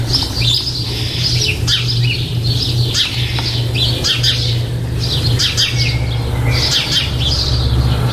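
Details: Young starlings inside a nest box shortly before fledging, recorded on 4 May 2014: continuous harsh, hissing begging calls in rapid overlapping bursts, with a steady low hum underneath.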